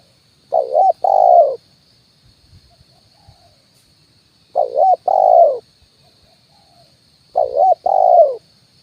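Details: Spotted dove decoy call used to lure wild birds, single-note style: low two-part coos repeated about every three seconds, each a brief wavering note then a longer mellow hoot, three phrases with quiet gaps between.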